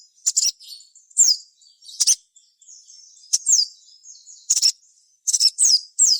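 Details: Crimson sunbird (sogon) in vigorous song, used to coax other sogon to sing in reply: rapid clusters of high, sharp chirps and quick downward squeaks, repeated about once a second.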